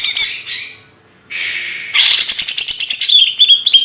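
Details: A singing bird gives two harsh rasping bursts, then a fast chattering trill that ends in sliding whistled notes.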